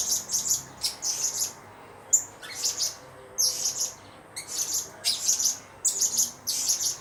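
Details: Blue-crowned hanging parrot singing shrill, high-pitched buzzy chirps in rapid groups, each burst lasting under a second with short gaps between.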